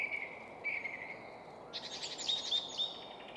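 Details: Song thrush belting out song from a spruce top at Väsby sjöäng in Stockholm's suburbs, Sweden; a sustained whistled note followed by a dense, scratchy burst of rapid high notes, with traffic hum underneath.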